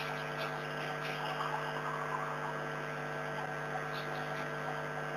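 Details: A steady electrical hum with layered constant tones and faint hiss, and no calls.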